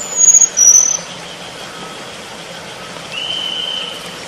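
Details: Selendang biru bird in the wild: two brief, very high, thin whistled notes in the first second, each slightly falling, then only steady background hiss with a faint lower tone.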